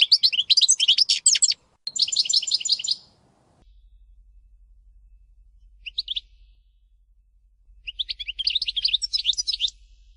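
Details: European goldfinch, major type, kept in a cage: bursts of rapid twittering and trilled notes, then a long lull with a faint low hum and a few isolated chirps, ending in more quick twitters.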